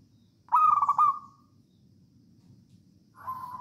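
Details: A zebra dove (Geopelia striata), a wild Javanese bird, sings a quick run of rolling, pulsed coos, then starts another phrase, over a low background rumble throughout.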